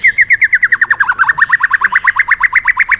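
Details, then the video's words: White-rumped shama firing off a rapid run, part of a song meant to provoke other birds: a fast, even trill of about twelve ringing notes per second, slightly dropping then holding steady for three seconds. "chòe lửa hót giọng yến reo,bắn dây đảo giọng đánh đuôi kích chim cực mạnh"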